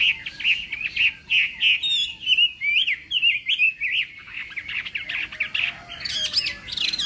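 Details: Chinese hwamei singing in a morning voice-training and singing-contest session: a rapid, varied run of bright whistled phrases with quick up-and-down slurs, delivered in dense bursts of about three notes per second.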